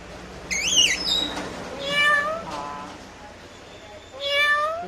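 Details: Parrot talking in Malayalam: a sharp, high, wavering whistle-like cry, then a series of nasal, rising and falling voice-like sounds and a final drawn-out, upswept call over a quiet indoor background.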